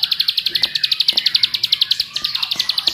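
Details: Bar-winged prinia singing as a lure to trigger other birds: a steady rapid series of bright high chirps, with a short dip in loudness near two seconds and a faint high whine in the background.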